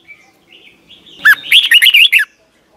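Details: Red-whiskered Bulbul from Thailand, song played for young caged birds to learn. Soft, thin whistles lead into one bright, bouncing phrase of quick swooping notes near the middle, followed by quiet.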